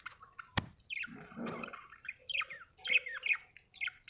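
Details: Budgerigar, an Australian bird, chirping: a sharp click, then a soft rough rustle, then a series of squeaky, bending chirps and warbled notes in quick succession.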